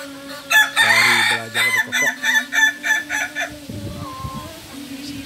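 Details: Kukuak Balenggek crowing rooster from Solok, West Sumatra, sunning after being bathed: a rapid run of short, pulsed crow syllables, about a dozen in quick succession, fading out, with sustained music tones underneath.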